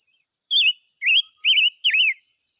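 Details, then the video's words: Five-coloured bird singing and calling: four loud, warbling whistled phrases, each rising then wavering, spaced about every half second, over a steady high insect-like hiss. "tiếng chim ngũ sắc hót chuẩn muồi gọi buổi.."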